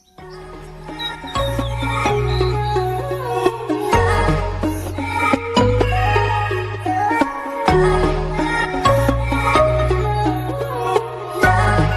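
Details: Only instrumental music is heard, with plucked strings over a deep sustained drone and no birdsong anywhere.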